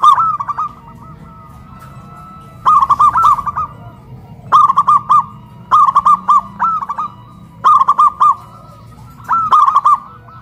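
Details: Duet of caged local zebra doves lifted on a pole in Kuningan, West Java, one loud big voice against a crystal-clear voice: stuttering coo phrases of quick clipped notes recurring every couple of seconds over quiet background.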